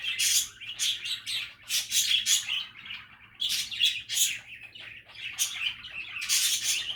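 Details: Happy, relaxing budgie chatter: bright chirps and raspy warbling phrases in clustered bursts, brief lulls between them, with a steady faint hum beneath.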